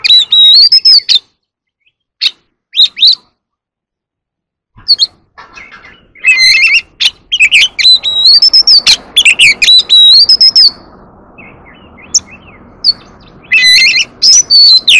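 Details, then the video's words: Oriental magpie-robin in competitive singing: arching whistled phrases mixed with harsh chatter arrive in bursts, with a long pause early on and faint background hiss toward the end. "Chòe than hót múa quá đỉnh | chòe than hót đấu"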